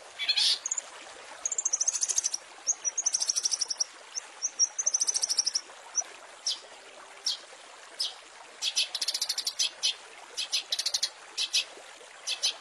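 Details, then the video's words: Long-tailed shrike master for tutoring murai and small birds: high sliding whistles, then rapid clicking trills and chattering bursts against a steady hiss. "Masteran Cendet full isian mewah"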